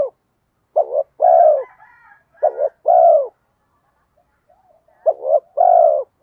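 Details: Spotted dove with a bronze-toned voice giving driving coos meant to lure wild spotted doves in quickly; low, hoarse coos in three bursts, each a short double note followed by a longer swelling coo, faint higher chirps after the first burst.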